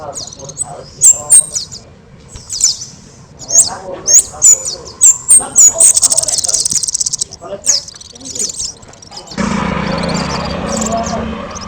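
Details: Kemade singing as a master for training other birds: repeated loud, piercing, very high whistled notes and chirps, a rapid buzzy trill near the middle, then a burst of broad background noise.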